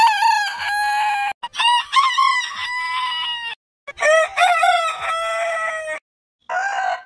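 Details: Heritage breed roosters crowing in edited succession: several loud harmonic crows, each with choppy opening syllables and a held, slightly falling tone, separated by sudden silent cuts.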